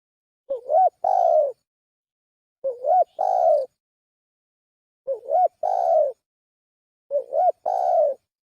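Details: Spotted dove coo used as a lure, heard as four evenly spaced phrases roughly every two seconds, each a short hooked note then a longer slurred coo, with no other sounds.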